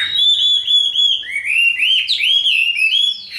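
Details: Chinese hwamei, a tame, big-bodied cage bird in fighting display, gives clear fluting whistles, smooth notes bending up and down in quick succession without pause.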